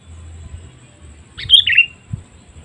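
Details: Call of a sooty-headed bulbul played to lure wild birds, a single brief phrase of quick gurgling, whistled notes that drop slightly in pitch, with soft low rumbling before and after.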